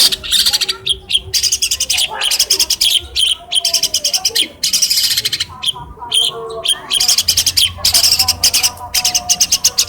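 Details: Caged long-tailed shrike from Cilacap, hand-reared and taught other birds' songs through phone recordings, sings a dense, continuous chattering medley of high twitters and trills with brief pauses and faint lower whistles beneath.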